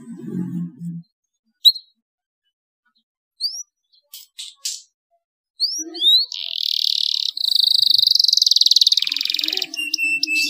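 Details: Canary song used to stimulate other canaries to sing: after a low murmur and a few scattered upward chirps, a long fast buzzy trill runs steadily for several seconds, then breaks into short bright notes.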